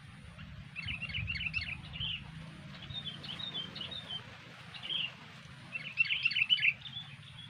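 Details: A fierce female sooty-headed bulbul calls in bursts of bright, chattering chirps, several quick notes per burst, at irregular pauses over a low background rumble.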